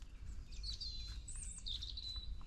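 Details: A European robin, solitary and holding its own territory, sings a thin, high, wandering phrase of sliding and warbled notes on a sunny winter morning walk on 19 March 2024, over a steady low rumble of wind or background noise.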